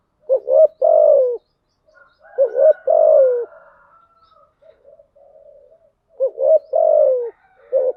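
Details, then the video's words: Decoy spotted dove, described as a female lure bird, giving coos in thúc gù and gáy gọi styles to draw wild doves: three low phrases, each two short rising notes then a longer falling coo, with soft murmurs between. "Tiếng chim cu gáy mồi giọng lôi cuốn hấp dẫn đủ bài[ THÚC GÙ , GÁY GỌI ] dùng kich bổi nhanh nổi"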